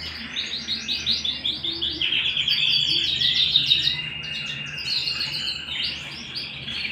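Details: Canary singing indoors at home, delivering fast repeated chirping notes that merge into a sustained rolling trill midway, then break into varied twittering phrases, with a faint low hum underneath.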